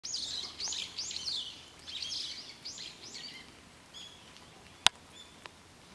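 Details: Wild birds singing on Mount Takao, high bright chirping phrases repeated in bursts, fading after a few seconds, with one sharp click and quiet forest background.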